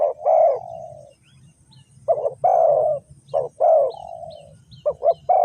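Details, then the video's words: Decoy spotted dove from Ninh Thuận for trapping wild doves, giving coos whose long notes trail off in a falling tail, phrases spaced by pauses, ending with quicker clipped notes; low background rumble throughout. "The Sound Of dove"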